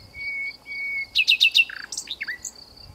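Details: Hidden in a bush in the south of France, a nightingale opens with two long, pure, level whistles. Four loud slurred notes and a low rattling burst follow, then a quick descending twitter.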